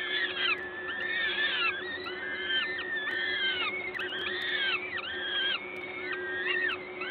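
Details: Peregrine falcons at their nest at the LOTOS site in Gdańsk, Poland, 14 May 2022, during an adult's feeding. Repeated overlapping arched whines, roughly every second, sound over a constant low hum.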